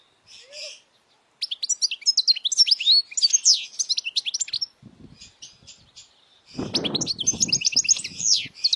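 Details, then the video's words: Loud European goldfinch song for young birds to learn: a faint note, a short silence, then a fast run of bright twittering chirps, a pause with low rustling, and another burst of tinkling trills. "Jilguero cantando fuerte para memorización los jilgueros /Goldfinch singing the best chirping sounds"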